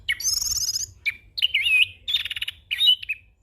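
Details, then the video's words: Young orange-headed thrush singing a rolling 'ngeroll' song full of varied filler phrases, used for training and as a lure: rapid trilled and warbled high phrases, sharp slurred whistles and buzzy rattles in quick bursts, clear and close. "Anis Kembang Ngeroll Full isian - Masteran dan Pancingan Burung Anis Kembang Muda"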